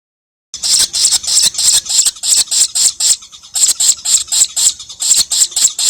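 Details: Young lovebird still learning to chatter: a long run of harsh, high rasping squawks repeated about four times a second, briefly faltering in the middle before resuming.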